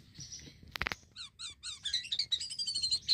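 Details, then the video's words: Black-winged myna in full song, used to lure mynas: a sharp click-like burst, then quick repeated chirps building into a dense high warbling run of whistled notes. "Jalak kapas Gacor"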